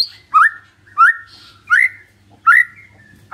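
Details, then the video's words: Lure recording of white-rumped shama song for triggering a silent bird's response: four clear rising whistled notes, about one every three-quarters of a second, each trailing into a level tone, with a soft hum beneath. "PANCINGAN SANTAI & EFEKTIF❗❗ murai DIAM langsung respon NYAUT❗❗"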